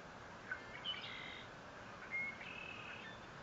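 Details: Bald eagle at its nest 57 feet off the ground at Fort St. Vrain on 21 April 2024, captured by a live nest camera: two high thin whistled squeals, each starting with a sharp note, over hiss.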